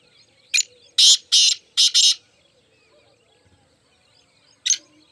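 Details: Four black francolins calling: a harsh, rasping phrase of one short note followed by four longer grating notes, then a single isolated note after a pause, against a quiet background.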